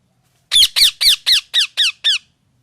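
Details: Parrot calling: seven harsh, squawking calls in a steady series about every quarter second, each note sweeping downward, then silence.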